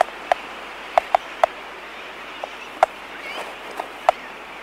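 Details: Laysan albatrosses clicking in a colony close-up, with sooty terns in the distance and aircraft sounds: sharp, dry single clicks come at irregular intervals over a constant rushing background.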